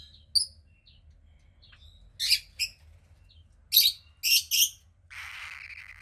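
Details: Captive 15-day-old female cockatiel chick, grey like her pied-cockatiel father; sparse soft chirps, then several loud harsh squawks in a row, closing with a long breathy hiss.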